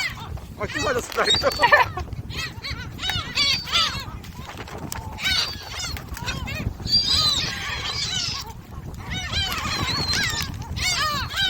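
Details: Gulls at Jebudo being fed give clustered, rapid yelping cries in uneven bursts separated by quieter gaps, mixed with people's voices and wind.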